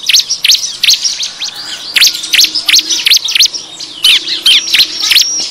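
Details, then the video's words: Noisy bar-winged prinia calls used as a lure for wild birds: bursts of sharp, high, downslurred chips in quick, uneven clusters, with faint overlapping chatter between them. "suara pikat ciblek ribut ampuh"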